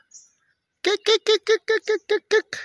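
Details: Eagle in forest in Kenya, East Africa, a predator of birds whose call makes other birds flee, gives about nine harsh, hoarse yelping notes, five or six per second at even pitch, after a faint high whistle.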